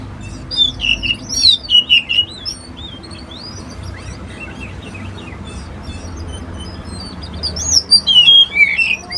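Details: Oriental magpie-robin song in two bursts, at the start and near the end: quick, varied whistled and twittering notes, with a quieter stretch between them and a faint low rumble underneath.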